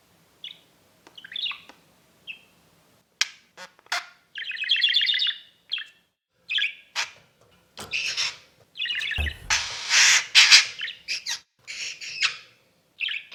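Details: Pet exhibition budgerigars chirp and warble in short, buzzy, trilled phrases of varying length, with clicks and one harsher, noisier outburst. A low bump sounds in the middle.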